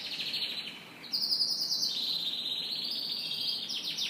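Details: Canary morning song featuring a long, steady high whistled trill held for several seconds, sliding slightly lower, with faint chirps toward the close.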